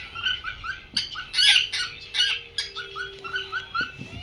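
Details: A pearl cockatiel sings a rapid run of bright, warbling whistles broken by short harsh chirps.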